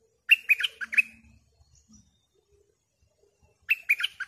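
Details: Bulbul kept as a decoy for wild birds delivers two quick, gurgling phrases of warbled notes, several seconds apart, with a faint low hum between.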